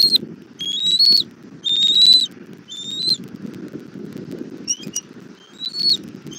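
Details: Mother bald eagle bringing dinner to her chick at a southwest Florida nest, 17:30, 1 April 2024: clear high, slightly rising whistles repeated about once a second, then softer scattered notes, with low wind noise beneath.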